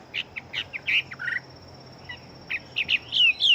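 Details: Hwamei kept as a fighting bird, noted for very rapid singing. It gives broken bursts of short clear whistles and slurred notes, pauses, then adds rising ringing whistles. A constant thin high tone hums in the background.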